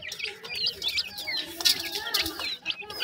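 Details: Francolin chicks, a new pair of dakhni teetar, with sindhi teetar voice: thin high chirps and short upslurred peeps in quick, uneven runs, over flutter and scuffling noise.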